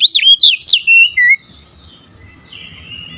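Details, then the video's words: Oriental magpie-robin singing fiercely: a quick string of five loud, looping whistles lasting just over a second, then near silence with only a faint high note trailing off. "dengan cepat Kacer anda cepat ngamuk ngotot"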